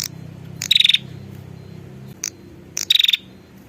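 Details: Female prinia calling the male, a lure sound: two fast-pulsed buzzy rattles about two seconds apart, with sharp clicks between them and a faint low hum.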